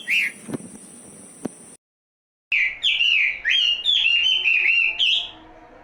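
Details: Songbird singing in a bright, high chirping phrase of quick whistled and twittering notes that rise and fall, sung in several bursts after a short silence, with a few clicks and knocks at the start.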